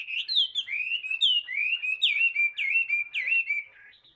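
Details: A tame Chinese hwamei, a prolific singer, delivers clear looping whistles, each phrase a bright downward slur repeated about twice a second, fading out at the close.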